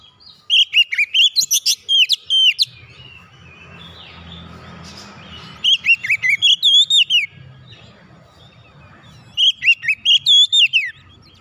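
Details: Oriental magpie-robin song, played to get a silent bird singing again: three bursts of rich, rapidly repeated whistled and warbled notes, separated by pauses with a low hum and background noise.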